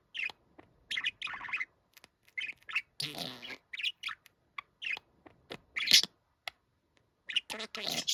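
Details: Budgerigar kept as a pet, said to imitate a middle-aged man's voice and say 'kimoi'; scattered chirps and warbled syllables, one longer raspy, noisy phrase, then renewed quick squeaky notes.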